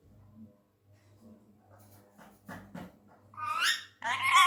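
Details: Tame male Indian ringneck parrot, described as angry: a few quiet clicks and mutters, then two loud, harsh, buzzy squawks close the clip.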